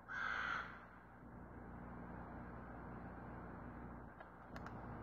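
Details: Crow recorded on 20 February 2022 at 08:49 in the morning: one harsh, loud caw in the first second, then a steady low hum and a few faint clicks for the rest.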